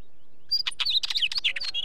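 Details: Wheatear song: after a half-second of quiet, a quick scratchy warble of short, varied notes, chirps, rattles and thin whistles, delivered in a rapid jumble for just over a second.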